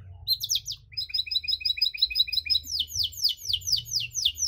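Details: Pet canary singing long cengkok phrases to provoke other canaries, beginning with quick chirps and a rattling buzzy trill, then shifting to a series of rapid descending whistles; faint low background noise.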